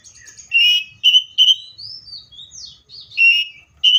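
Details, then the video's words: Loud, clear whistles from a Seychelles magpie-robin come in short, separate bursts, with softer sliding notes between them and faint low background noise. "COPSYCHUS SECHELLARUM BIRDS SOUNDS LIKE IN NATURE LOUD CLEAR SOUNDS"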